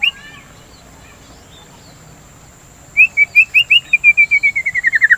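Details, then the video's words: White-rumped shama song meant to stimulate singing in kept birds: after a brief soft note and silence, an accelerating trill of clear whistles that starts level and slides downward, speeding to a rapid roll. "Pancingan Suara Burung dan terapi murai batu biar tidak birahi"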